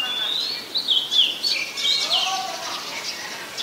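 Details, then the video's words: Oriental magpie-robin singing in Ubon Ratchathani, Thailand, on 17 July 2021, recorded with a Nikon P1000: a string of clear, varied whistled phrases, some sliding and some warbled, with faint lower notes near the end. "นกกางเขนบ้าน Oriental Magpie Robin (singing)"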